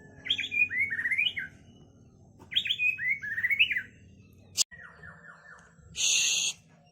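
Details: White-rumped shama singing with kapas tembak and lovebird phrases: two matching bursts of tumbling, rising slurred whistles separated by silence, followed by a click, a soft descending series and a harsh hiss.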